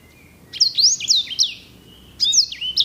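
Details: Caged singing finch (sanger) songbird: two bursts of sweeping, buzzy whistled notes, sharp upward and downward slurs running into a thin sustained trill, with a short pause between phrases.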